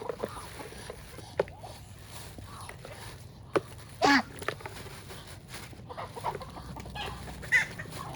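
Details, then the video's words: Ducks and chickens on a farm give scattered short clucks, quacks and squawks, with one louder harsh burst near the middle, over a low steady background murmur. "What Do Natural Duck and Chicken Sounds Like?"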